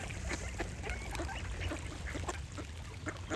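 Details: Quacking ducks with birds singing, a run of short harsh quacks close together, brief whistled bird notes between them and constant low-frequency rumble.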